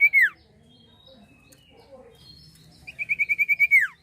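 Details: Common iora singing vigorously, used to lure birds: a single loud falling whistle, silence, then a quick, even trill of clear whistled notes closing with a long descending slur.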